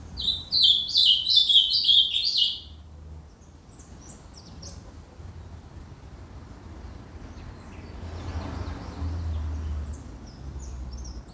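An Ultramarine grosbeak gives a quick, high, warbled phrase of about two seconds, followed by faint scattered chirps over a low background rumble.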